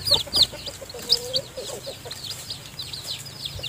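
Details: A nest of newly hatched chicks peeps while the mother hen feeds them. Shrill, curved cheeps come in quick, uneven bursts, strongest at the start, then soften into a steady background twittering.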